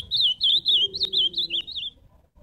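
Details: Close, loud live song of an ultramarine grosbeak: about seven clear, high, slurred whistled notes in quick succession, each bending up and down, over a faint low hum.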